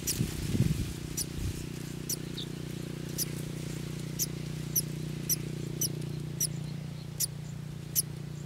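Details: Golden sparrow chicks anticipating feeding. Brief, high, pecking cheeps repeat at fairly even intervals over a strong low mechanical hum, with a muffled thump near the start.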